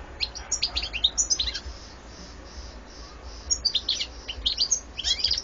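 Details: European goldfinch twittering in two bursts of rapid, sharp, high notes, separated by a quieter gap of soft repeated tones, over a low background hum.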